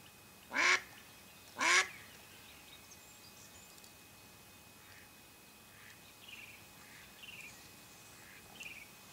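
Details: Mallard hen calling to attract ducks while hunting. Two loud, rasping quacks just over a second apart, then several faint, short, falling whistles from distant birds against a quiet outdoor background.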